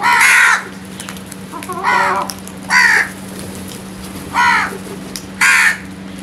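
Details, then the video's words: Morning crow calling: five loud, hoarse caws spaced one to two seconds apart, each a short rasping arched note, with a faint low hum behind. "Nice Crows and Birds Morning Moments | Crows Sounds"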